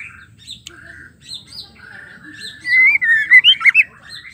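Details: Caged female white-rumped shama calling to stir male shamas into song: soft scattered chirps at first, then a loud burst of rapid, sharply bending whistled notes toward the end, over a low background hum.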